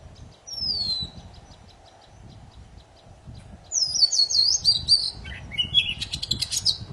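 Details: Poci bird song used to trigger silent birds: a single falling whistle over a faint ticking series, then a vigorous stretch of rippling high whistles and fast buzzy trills, with low background rumble.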